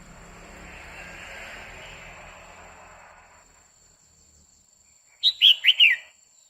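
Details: Female red-whiskered bulbul singing continuously to excite a male: three seconds of soft hiss, then a short burst of four quick whistled notes, each dipping in pitch.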